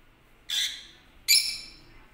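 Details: Lutino lovebird, a yellow parrot, giving two piercing, raspy screeches less than a second apart, each fading quickly, against a quiet background.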